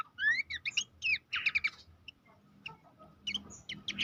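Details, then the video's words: Training master of Abbott's babbler for contest songbirds: a rising whistled slur, then clustered sharp chirps, a quieter gap with scattered faint notes, and a final burst of high whistles. "masteran mewah khas pelanduk semak"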